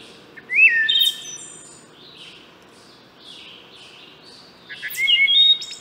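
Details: Wood thrush (Hylocichla mustelina) singing two phrases about four seconds apart, each a rich rising, flute-like whistle ending in a high buzzy trill, with soft faint notes in the pause between.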